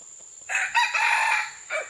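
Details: Red junglefowl crowing, recorded on June 12, 2011: a loud, harsh, rough crow of about a second with a brief trailing final note, over a steady high insect whine.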